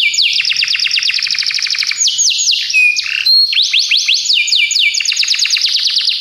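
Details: Belgian canary, recorded as training song for canaries, delivering a dense continuous run of quick descending sweeps, a brief varied middle passage, then more rapid sweeps.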